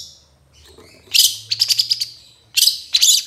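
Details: Training recording of a cendet in trotol style: near-silence, then two bursts of very high, bright, tinkling trills about a second and a half apart, over a faint low hum.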